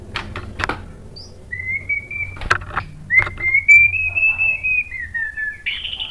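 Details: White-rumped shama song meant to stimulate other shamas: long smooth whistles rising and gently falling, with scattered clicks and taps around them in a small room.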